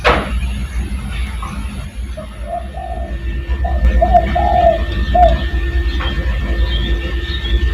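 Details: Spotted dove, a lure recording meant to call other doves, giving a soft run of low, hollow coos in uneven groups, with steady background hum and a faint high tone.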